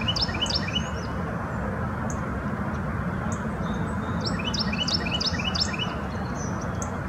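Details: Carolina wren calling as it forages, Bluebird Gap Farm, Hampton Roads, Virginia, February 2019; scattered high chirps early, then a later run of clear, descending paired notes, with low rumbling noise throughout.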